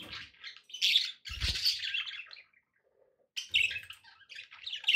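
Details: Several pet budgies give a continuous grating, chattering warble with brief pauses. Low thumps of background noise are heard early on.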